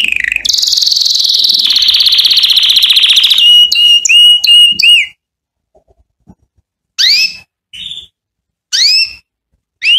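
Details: Canary song for training chicks: a long loud buzzy trill, a set of five clipped ringing notes, then silence broken by single bright downslurred and upslurred whistles at roughly two-second spacing.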